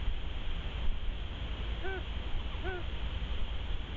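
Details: Ruffed grouse (Bonasa umbellus) call, Québec: two short, mellow, arched notes about a second apart, over a steady low rumble of wind or distant noise.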